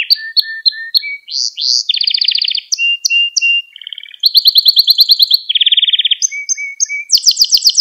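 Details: Canary training song for young birds: rapid repeated chip phrases, then buzzy rattling tours, a low whistled series and bright high trills, changing pattern every second or so with no other sounds.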